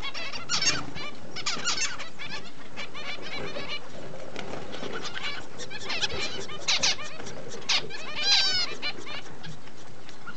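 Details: Double-barred finches raising chicks give a busy run of short, thin, nasal chirps, several birds overlapping every second or so, over a steady low hum.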